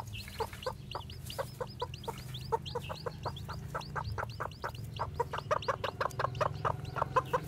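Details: Fresh-hatched white black-tailed Japanese bantam chicks out walking; a steady run of short clucking notes, roughly three per second, mixes with high chick peeps.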